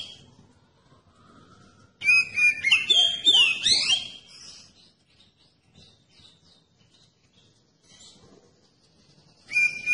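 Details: Kacer, or oriental magpie-robin, giving lure song to stir other magpie-robins into singing: one loud phrase of whistles and sweeping trills, then soft scattered notes and the start of another phrase.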